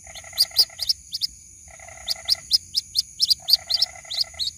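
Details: Young white-breasted waterhen calling for its mother, recorded for use as a lure. Sharp high cheeps come in quick runs and overlap two bouts of low, buzzy chattering. A faint constant high hum sits behind them.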